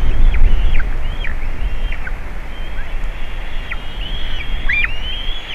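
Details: Juvenile White-tailed eagle at the nest with eaglets, Latvia, 27 June 2019, nest camera: fainter high whistles, short at first, then longer level notes with falling ends, over low wind rumble.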